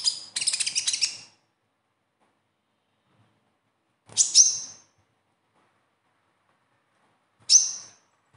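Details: Konin, the kolibri ninja sunbird, singing besetan as a lure for caged birds: one second-long burst of quick high twitters, then two short sharp chirps spaced about three seconds apart amid silence.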